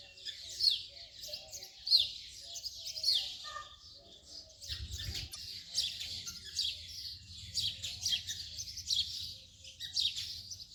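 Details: House sparrow chirps: clear separate notes at first, then after about five seconds a denser, continuous chatter of overlapping chirps with a low rumble beneath.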